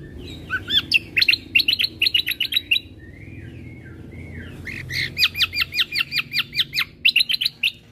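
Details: Cucak kombo singing 'gacor' full-fill tutor song for caged birds: rapid runs of sharp, ringing repeated notes, about two and a half per second, broken by a short softer warbled phrase midway.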